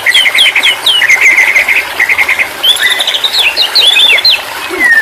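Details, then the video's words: White-rumped shama delivering quick stuttered notes in short bursts, followed by higher warbled whistles and a final long descending whistle, over a soft hiss. "terapi burung murai batu stress/ macet bunyi auto bunyi kembali"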